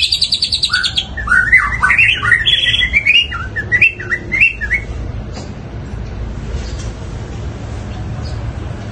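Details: Cendet (long-tailed shrike) in loud sparrow-style song: high buzzy chatter, then a run of warbled rising and falling whistles for about four seconds, fading into quiet low background noise.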